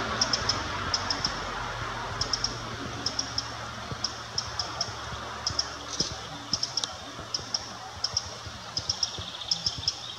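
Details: Alarm calls of a Eurasian wren recorded at Würm, Mühltal: dense bursts of dry, high clicks, often doubled or tripled, continuing throughout, with a low background hum and a faint thin tone near the end.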